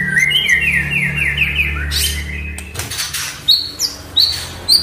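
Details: Oriental magpie-robin, kept as a cage bird, song played to prompt a silent bird to sing: a run of rising whistled notes repeated quickly, then sharp high upswept whistles, with low hum and a room background.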